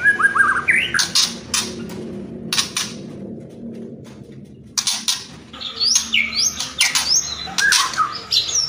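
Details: White-rumped shama kretekan and whistling song. Rising whistled slurs and sharp crackling bursts are broken by a quiet pause, then follow quick upward whistles and rattles.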